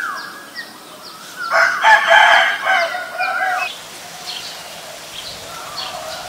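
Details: Black-collared starling in Ubon Ratchathani, Thailand, 10 February 2023. A sustained whistle opens, then an intense, raucous, broad chattering burst lasts about two seconds and tails off, with faint chirping of other birds.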